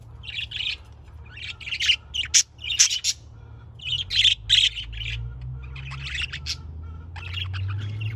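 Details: Budgerigar birds chattering busily, dense warbling chirps and squawks in bursts of about a second, separated by brief pauses, over a low background hum.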